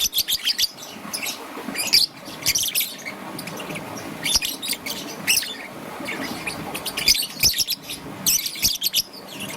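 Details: Morning chirping of a young green-and-yellow peach-faced lovebird: scattered short, high, scratchy chirps in irregular clusters, separated by brief quiet gaps.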